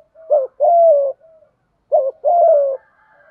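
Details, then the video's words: Spotted dove 'thúc gù' coo for stimulating doves: two phrases, each a brief two-part warble followed by a drawn-out, mellow, slightly falling coo, with a faint soft tone trailing at the end. "tieng chim cu gay thuc gu cu cuom THÚC GÙ, cu gáy kích bổi giọng hay"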